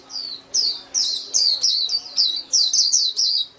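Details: White-eye song of high, sweet chirping notes, each slurring downward, repeated in a brisk uneven rhythm for several seconds.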